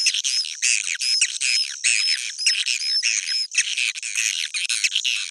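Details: Old-style swiftlet sound: a nearly unbroken wall of high, scratchy chirps and twitters, overlapping constantly with only brief pauses, and faint whistled arcs above.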